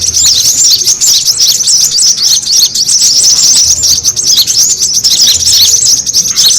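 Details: Lure call of brown-throated sunbirds for pulling in birds: crowded, excited high-pitched chirping, rapid short notes and squeaks repeated without letup.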